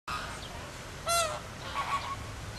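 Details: Captive flamingo flock at Philadelphia Zoo during a group display, circling and flapping wings; one loud nasal, goose-like honk stands out mid-clip over softer distant calls and steady background hiss.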